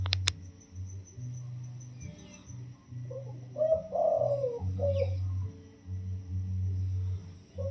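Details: Wild-caught spotted dove kept caged for 16 days, singing a sweet, soft phrase of the single-note 'toss' crowing style: a short run of low, rounded coos mid-clip, set against a persistent low buzzing hum.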